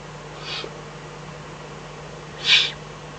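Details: At night in the Eifel on 24 May 2014, a Eurasian eagle-owl with a fox brought as food gives a soft hiss then a loud, rasping breathy hiss two seconds later; faint hum behind.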